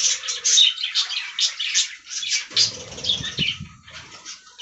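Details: Budgerigars eating fresh green leaves chirp and warble in quick bursts, several birds overlapping, followed by softer calls mixed with low fluttering and knocking sounds midway.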